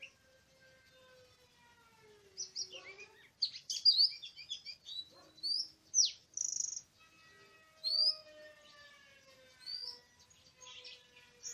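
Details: Wild Oriental magpie-robin in a forest on 24 March 2017, recorded during a day of bird trapping. Loud sweeping whistles and chattered notes arrive in bursts between short pauses, over a low tonal hum.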